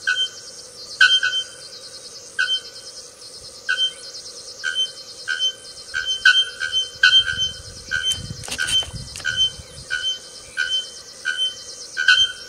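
Bare-throated Bellbird giving short, ringing metallic notes, repeated about once a second at an uneven pace, over a steady background of buzzing insects.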